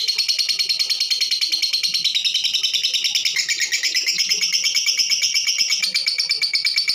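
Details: Continuous high, scratchy chatter from a female lovebird, used to provoke other birds to sing; fast pulsed chirps roughly a beat per tenth of a second, bright and harsh, steady in loudness, with faint background noise.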